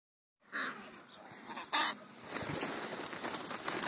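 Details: Crows feeding, taking a mid-morning snack between breakfast and lunch. A couple of harsh, hoarse calls are heard over a steady rustling, hissing background.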